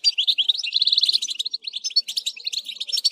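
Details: Fast, unbroken goldfinch twitter, a stream of tinkling notes and brief buzzy trills, offered as song to set other goldfinches singing.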